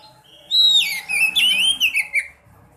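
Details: Caged-bird prompting recording of a swallow (sekoci): a bright whistled note glides downward into busy twittering and wavering warbles, finishing with three short clipped calls, over faint room rumble.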